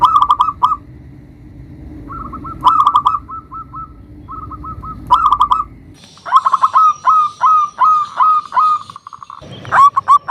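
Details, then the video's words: Zebra dove singing to lure and provoke rivals: loud short cooing bursts alternating with softer rapid note series, then a long run of quick repeated coos in the second half. "Perkutut Lokal GACOR suara Besar Ampuh memanggil Lawan EMOSI MANGGUNG PANCINGAN PERKUTUT LOKAL"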